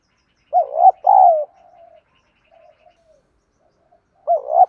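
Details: Spotted dove song for provoking other doves to call and fight, 'thổ' style: one full phrase of two looping coos and a long falling note, trailing soft murmurs, then the next phrase begins.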